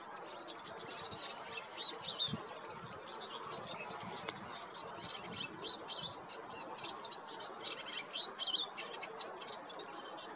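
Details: Wild European goldfinch in spring song in the Golan Heights, Israel: a long run of rapid, high, tinkling twitters and chirps in fast irregular bursts, with soft background outdoor noise.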